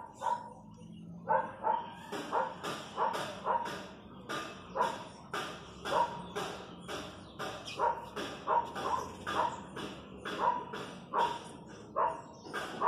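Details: Wild chachalacas calling in the countryside, a steady rhythmic chorus of harsh, grating notes pulsing about twice a second for the whole stretch, each note coarse and ringing with a brief clear tone at its centre.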